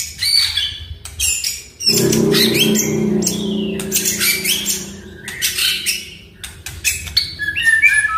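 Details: Oriental magpie-robin song for prompting a quiet caged bird to sing: rapid harsh, scratchy, squawking notes mixed with brief whistles, delivered in dense irregular bursts over a low background hum.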